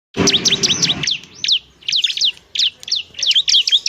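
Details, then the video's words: Bar-winged prinia (ciblek semi) in full singing form, used as tutor material so other birds start singing quickly; rapid high chirped notes with sharp downward sweeps in bursts, a broad noisy rustle during the first second. "ciblek semi gacor, JADIKAN ciblek semi bahan agar cepat bunyi gacor"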